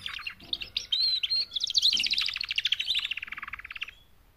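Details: Female canaries, four of them, calling to mate and to get males singing. Clear whistled notes give way to a fast, even trill of bright pulses that slowly falls in pitch and then stops.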